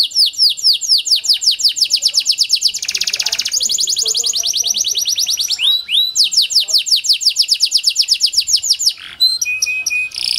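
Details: Lure song of a panda canary, used to coax lazy canaries into singing: fast chains of descending chirps, a dense buzzy burst, more rapid rolling phrases, then a few steady whistled notes.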